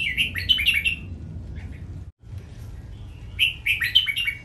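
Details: Caged red-whiskered bulbul singing in the playful riK style used for song training: two bursts of quick, bright, warbled phrases, each a run of four or five slurred notes, separated by a short pause over low background rumble.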